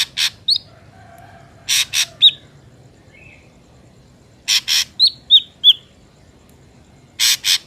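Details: Ashy drongo song played as a lure for bird trapping: paired harsh, broadband rasping bursts alternate with short, high whistled notes that slur downward, in loose irregular phrases.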